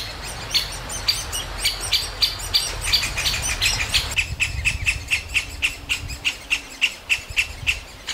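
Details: Loud, constant begging of young great spotted woodpeckers in a nest hole in a big old aspen, parents feeding: fast chattering high chirps, about three or four per second, shifting slightly lower midway, over low rumble.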